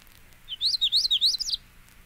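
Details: Magnolia Warbler song, one of seven examples: a short, quick phrase of about a second of sweet, slurred whistled notes rising and falling in a wavy series, clear against a quiet background.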